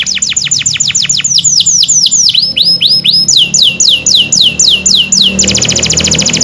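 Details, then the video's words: Caged canary singing fast repeated descending whistled sweeps, about four per second, shifting to rising sweeps, then ending in a rapid buzzy trill. "Aksi Burung Kenari Gacor"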